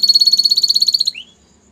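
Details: Belgian canary song phrase from a training recording: one rapid, even trill of pulsed notes lasting about a second, ending in a short rising slur, then quiet.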